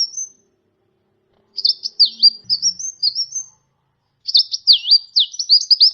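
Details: Kolibri ninja sunbird, recorded as a tutor song for training birds: two short bursts of high, jumbled twittering with swooping whistled notes, separated by a second of silence.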